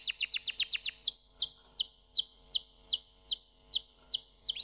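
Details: Canary delivering a rapid run of high descending chips that slows into evenly spaced, loud downward-sweeping whistled notes, repeated roughly every half second.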